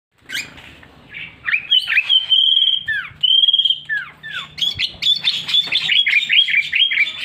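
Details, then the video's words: Sooty-headed bulbul kept at home among many other birds, singing varied mimicked phrases: long steady whistles, downslurred notes and a fast run of chirpy warbled notes, with a faint low hum behind. "burung kitilang rasa rasa wahh mantab betul"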